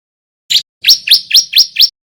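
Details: Bar-winged prinia, a white-breasted young male learning to sing, used as a lure to get other prinias singing: one short high chirp, then five quick rising, buzzy notes about a fifth of a second apart.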